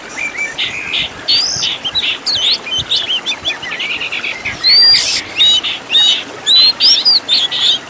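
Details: Oriental magpie-robin master track for training caged birds, full of 'isian tembakan' fill-ins: varied phrases of bright whistled upslurs, clicking chirps and loud raspy bursts, growing louder toward the end.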